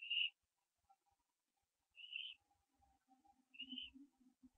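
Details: Barn owl owlet branching, recorded 15 September 2011 at 4:07 AM on a live-streamed nest camera; three short, high, hoarse wheezing calls come about every 1.7 seconds, with faint low knocks between them.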